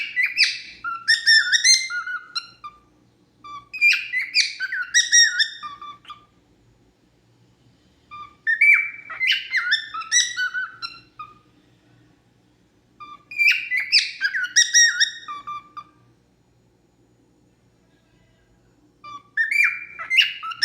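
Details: A pet cockatiel sings its natural song in bursts of bright, warbling whistled phrases separated by short silences.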